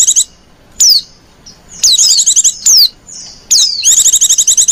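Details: Lure calls of a female white-eye in lenjeh manja style: sharp descending whistles spaced about a second apart, then a fast high chattering trill at the end, loud and clear.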